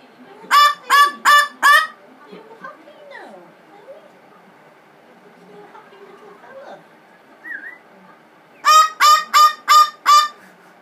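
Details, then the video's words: Pet blue-fronted amazon throwing a tantrum after being sprayed with water and rose water: a burst of four loud, harsh, honking screams, a quiet stretch with faint household noise, then five more rapid raucous screams. "Amazon parrot with a bad temper"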